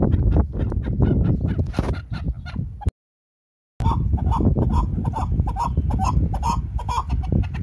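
Chukar partridge giving rapid, repeated clucking chuck notes, several per second, over a low rumbling background with a brief silent gap.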